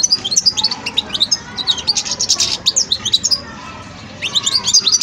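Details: European goldfinch (Carduelis carduelis), juvenile song: young bird practising and developing its song.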